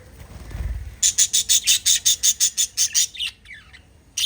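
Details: Budgerigar chirping after a soft low thump: a rapid, evenly spaced series of about twelve bright, scratchy chirps at close range, then a pause with fainter twittering and one last loud chirp.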